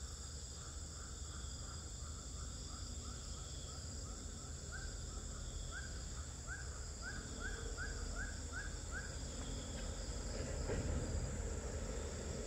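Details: Swiftlet calls inside a three-storey bird house in Pekanbaru, Indonesia, day twelve: a long run of short rising chirps, roughly four per second, over a steady hum, with a louder rustle near the end.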